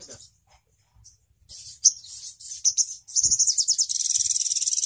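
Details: Crimson sunbird: soft scattered chips, then louder high twittering phrases, ending in a fast, even trill of very high, tinny notes, roughly five per second.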